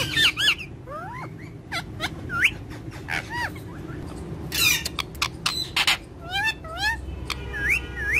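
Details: Several short upward-sweeping whistles and rasping squawks from pet green parrots, irregularly spaced roughly twice a second, with one broad harsh burst midway and low hum throughout.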